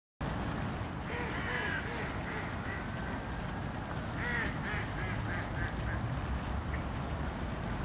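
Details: A group of mallard drakes in courtship display in a park give soft, repeated quacks and brief whistled notes, with louder bursts around the middle and end, over a steady low background rumble.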